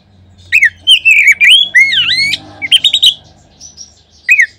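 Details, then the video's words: Oriental magpie-robin song played to make other magpie-robins sing. After a quiet start come strings of loud slurred whistles and short chattering notes, then a brief closing whistle after a lull. "Kacer manapun seketika terangsang berbunyi dengan pancingan ini."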